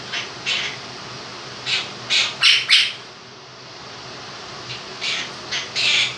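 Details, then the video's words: Two-year-old pet Quaker parrot indoors singing his version of 'If You're Happy and You Know It', with bursts of bright squawky syllables in short runs, a pause mid-clip, then more phrases, over steady fan hum. "Quaker Parrot sings 'Happy And You Know It'"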